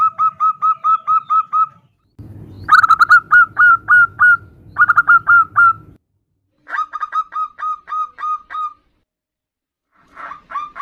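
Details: Zebra dove hen calling a male: repeated bursts of quick, clear, clipped notes, six to eight per burst, separated by pauses, with a low hum under some bursts.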